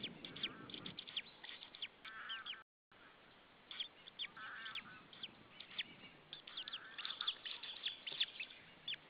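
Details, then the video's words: Wild white-tailed eagles, a breeding pair at a Saunja nest in Estonia, evening of 26 April 2013, shouting at another white-tailed eagle. A rapid run of sharp, repeated yelping notes comes in bursts over constant background hiss, with one short silent gap. "Saunja Sulev arrived shouting than came Linda, both shouting to another WTE"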